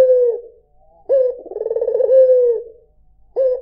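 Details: Single full coo from a white Barbary dove: a brief introductory note, a rattling rolled middle and a smooth, drawn-out falling finish, flanked by parts of neighbouring coos.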